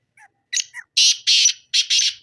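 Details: Loud, scratchy call of a black francolin. A few short introductory chips lead into three or four broad, grating notes delivered in quick succession, with no other sounds around them.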